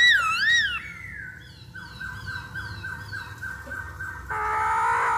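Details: Masked laughingthrush lure song. A loud wavering whistle gives way to a string of evenly repeated notes, then a noisy, buzzing burst at the end.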